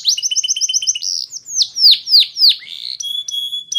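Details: Canary song for training: a quick trill of paired high notes, then a handful of loud sweeping downslurred chirps, and a pair of steady pure whistled tones at the end.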